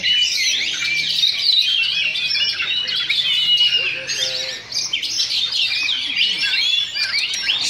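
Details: Oriental magpie-robin dueling in a Sunday singing contest at Sindanglaut, session 2. Busy high medley of whistles, trills and scratchy notes runs nonstop, with several birds overlapping and a brief dip near the middle.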